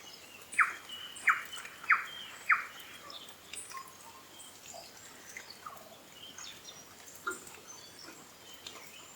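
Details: New Zealand bellbird, or korimako, feeding on insects in winter in the Maungakotukutuku Valley near Kapiti, New Zealand: four loud, clear, ringing notes about half a second apart, followed by softer scattered chirps over faint background noise.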